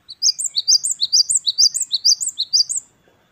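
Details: A great tit (Parus major, gelatik batu wingko) delivers a lively wucit-wucit kristal phrase series: around eight bright, high, rising-falling double notes in rapid, regular succession lasting under three seconds.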